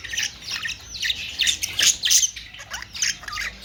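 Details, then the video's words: Budgerigars give quick, squeaky chirps and harsh squawks in clustered bursts, a few clear whistled downslurs standing out from the chatter. "Austrailian perrot beautiful sound"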